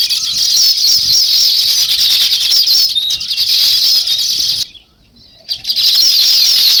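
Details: Many sparrows chatter together in a steady wall of high, quick chirps, with a brief gap of near silence before the twittering resumes.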